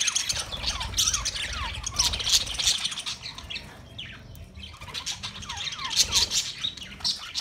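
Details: A budgerigar flock, Australian parrots, recorded 13 March 2024, chatters in bursts of quick falling chirps and squawks, with a brief lull midway and some wing flutter.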